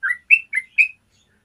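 Yellow-vented bulbul giving four quick, clear, bubbly notes at an even pace in under a second. The notes are mid-high and slightly rising. There are no other sounds.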